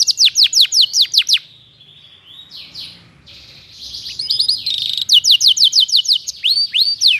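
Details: A canary in full song, recorded as a tutor for magpie-robins. Quick falling whistles are followed by softer, fuzzy warbled notes, then a buzzing trill, and finally a fresh burst of rapid sweeping chirps and rising upslurs.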